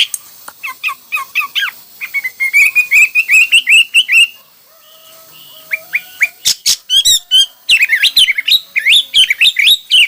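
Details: Hwamei singing a rich, varied song: chattering runs of quick notes, a rising series of whistles, a short pause, then loud rapid repeated trilled and slurred phrases.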